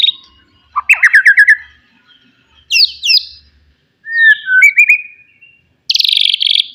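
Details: Wild white-rumped shama from forest giving loud provoking song aimed at rivals: bursts of rapid descending trills, rising whistled slurs and a final buzzy rattle, separated by silent gaps.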